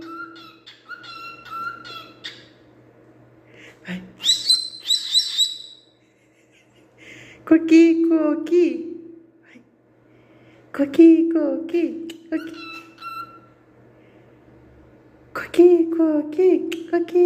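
A cockatiel sings in clear whistled phrases, broken by bursts of rising and falling chatter and harsh chirps.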